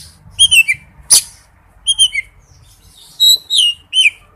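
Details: Sparse whistled notes from a male oriental magpie-robin calling its mate, each short and sliding downward, separated by pauses, with one sharp click partway through.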